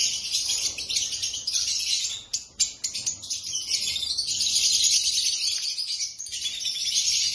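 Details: Black-masked lovebirds chattering together in a high, rapid stream of squeaky chirps, with a few sharp louder notes around two and a half seconds.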